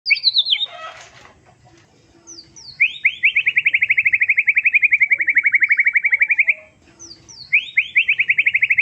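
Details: White-rumped shama of the Medan type singing loudly: sharp whistled slurs, then a long even trill of rapidly repeated notes lasting several seconds, followed by more slurred whistles and another trill.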